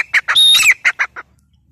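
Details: Grey francolin (teetar) giving a short burst of harsh squawky notes with one high whistled element in the middle, the phrase trailing off into silence after about a second.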